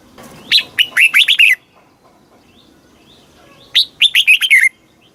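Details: Thai red-whiskered bulbul delivering southern master-style song for rousing caged birds and tutoring young birds: two matching phrases about three seconds apart, each a rapid chain of bright whistled notes finishing in a falling slur.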